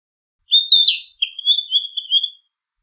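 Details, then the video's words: Narcissus flycatcher delivering a loud descending warbled whistle followed by a quick run of softer, rhythmic whistled notes lasting about a second, with nothing else audible. "キビタキの美しい囀り02 癒しの鳴き声"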